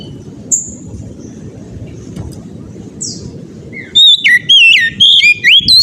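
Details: Oriental magpie-robin whose persistent ngeplong song is used to spur other magpie-robins to sing: a few scattered thin chirps over steady low noise, then from the fourth second a vigorous burst of rapid looping whistles.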